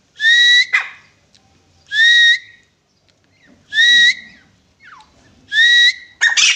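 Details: Grey francolin repeating loud, rising whistles at a steady pace of about one every one and a half seconds. A harsh noisy burst closes the sequence.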